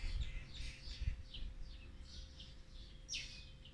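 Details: Olive-backed sunbird chicks of the fourth brood being fed on day 18, 8 March 2020; rapid high squeaky chirps in a run, then a sharp descending note near the end, over low hum.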